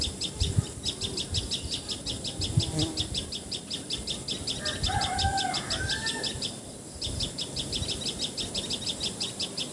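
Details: Common tailorbird in Assam, India (Assamese patxhia sorai, tiposi sorai) repeating high, sharp notes in a rapid steady train, briefly pausing near the end; another bird's lower, drawn-out calls sound midway.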